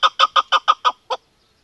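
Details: Female chukar partridge giving seven crisp, hoarse clucks in quick succession, the last one after a short pause.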